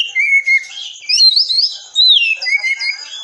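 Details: Training song for caged birds from an Oriental magpie-robin, 'tembakan rapat' style: pure drawn-out whistles, some steady and some rising and falling, in separate bursts about once a second, mixed with softer twittering.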